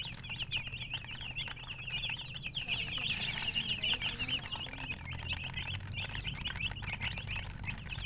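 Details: Chickens giving dense, high, trilling peeps in quick succession. A loud hissing burst covers part of the middle. A low hum runs underneath throughout.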